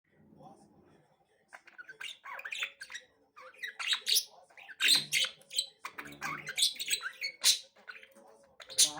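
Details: Three budgerigars chirping together, starting quietly and then breaking into scattered bursts of sharp, high chirps and short scratchy notes with brief pauses between.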